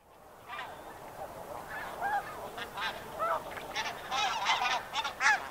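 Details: Snow Goose giving close flight calls: a rapid, irregular series of nasal, barking honks that grow louder and denser toward the end, with more distant flock calls behind.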